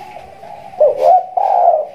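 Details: A spotted dove that has just finished moulting sings a low, mellow coo: a soft lead-in followed by two rounded, throaty notes, the last one drawn out.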